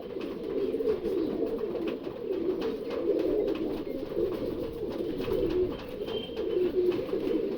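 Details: Several domestic pigeons that are ready to breed keep up a continuous low, rolling coo. Soft rustling and faint thin chirps are heard in the background.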